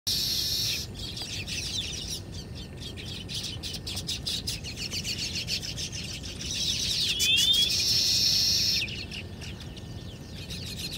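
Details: Baya weavers building their hanging nests at early morning, 6:30 am, somewhere in Haryana, India: dense, high, sizzling chatter with rapid repeated chirps, swelling louder toward the middle before easing, over a soft low background hum.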